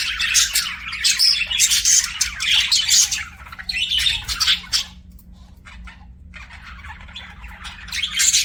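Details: Pet budgies chirp and squawk in fast overlapping bursts for about five seconds, fall nearly silent for a couple of seconds, then resume chirping, over a faint steady hum.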